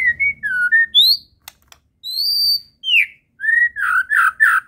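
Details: Medan white-rumped shama in full isian song: long pure whistles at varied pitches, some rising high and thin, followed by a run of rich burry notes, with a few sharp clicks.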